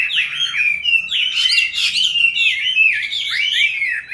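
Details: Several caged Chinese hwamei are kept; one, raised from youth into its fifth year, sings a continuous, loud, varied run of sweet slurred whistles with some harsher buzzy notes.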